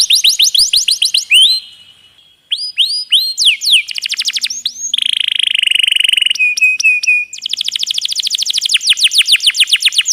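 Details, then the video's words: Canary song for training other birds, with added trickling water effect: fast chip series, curling whistles, a buzzy roll, short sharp chirps and a long closing run of rapid downslurred notes. "Masteran Isian Kenari Super Istimewa..!!! Ngeroll Panjang"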